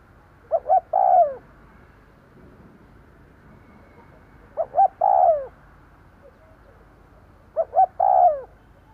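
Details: Spotted dove decoy cooing to draw in wild birds: three evenly spaced phrases roughly three and a half seconds apart, two short hoots then a prolonged sliding-down coo each time, low background noise.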